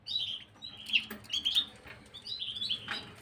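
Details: Short passage of Gloster canary song from 9 January 2023: high whistled and trilled notes run together, with a soft background hum.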